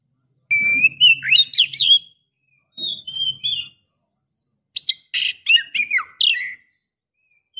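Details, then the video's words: Female Oriental magpie-robin calling a male, said to rouse him or invite mating: three bursts of quick chirps and slurred whistles separated by pauses, with a low hum under the first two bursts. "KACER BETINA Memancing KACER JANTAN"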